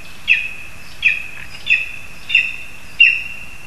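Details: Lesser spotted eagle perched in a spruce in Zemgale, Latvia, with a frog brought for the young: five sharp high yelping notes about every 0.7 seconds, each a short burst with a held tone, over steady background hiss.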